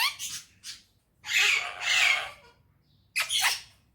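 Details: Cheerful talking parrot, said to use Urdu and Hindi, lets out loud, drawn-out rasping screeches: two quick short notes, a long harsh double burst, then a final strident squawk after a pause.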